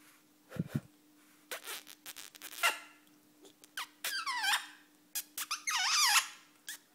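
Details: Male pet rainbow lorikeet gives squeaky, wavering chirps and sharp smacking kiss-like clicks in quick, irregular bursts over a steady low hum.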